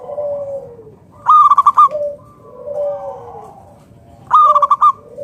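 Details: Local Indonesian Zebra dove (perkutut) song, used as a lure to get other zebra doves calling: soft low coos alternating with a bright, rapid, rolling burst of five or six staccato notes, repeated about every three seconds.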